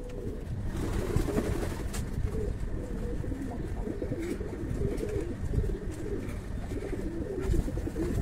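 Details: Several fancy pigeons on a breeding farm give overlapping low, bubbling coos throughout, with a constant low hum of background noise and occasional faint knocks.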